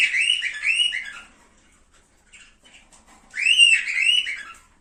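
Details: Cockatiel song meant to encourage mating: two bright whistled warbling phrases with rising and falling notes, separated by a quiet pause of about two seconds.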